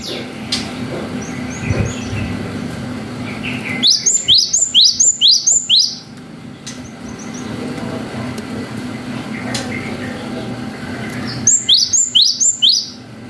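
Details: Cinereous tit in vigorous song, played to provoke other birds. Two bursts of rapid, upward-slurred whistled notes, each burst of five or six notes, separated by background hum and faint traffic-like rumble.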